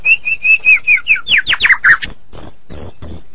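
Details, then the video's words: White-rumped shama, Medan type, singing 'gacor': a steady series of clear whistled notes that break into sweeping downslurs, then thin high repeated notes. "Murai Batu Medan Super Gacor Durasi Panjang"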